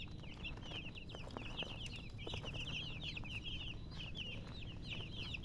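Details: Baby chicken chicks peeping in a steady stream of short, high, downslurred chirps, many birds calling over one another over a low background rumble.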